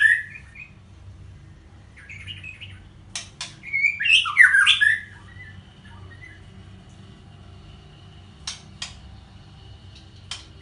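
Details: Song of a White-rumped shama, Panji Semerang style: brief whistled notes, sharp clicks, then a loud tangled burst of scratchy and whistled phrases with a thin sustained tone, followed by scattered clicks.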